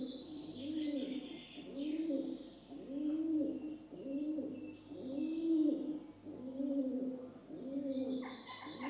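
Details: Rock dove, commonly known as pigeon, in gentle cooing: seven evenly spaced low, throaty coo phrases about once every 1.2 seconds, with soft high bird chirps and a low steady hum underneath.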